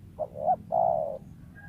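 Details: Wild spotted dove, a prized lure bird whose calls sometimes stutter: two quick clipped notes followed by one long, steady, hollow coo.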